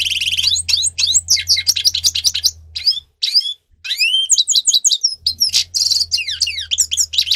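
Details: Grey-crowned goldfinch song used for training captive birds: rapid, dense twittering of high tinkling notes and sharp rising and falling slurs, with buzzy rasping bursts. There is a short pause near the middle and a low steady hum underneath.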